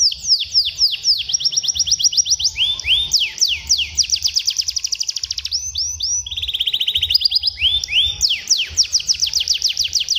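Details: Canary singing as a teaching model for young canaries: brisk descending trills changing to upslurred whistles, a very rapid fine roll, then mixed sweeping notes and another fast trill.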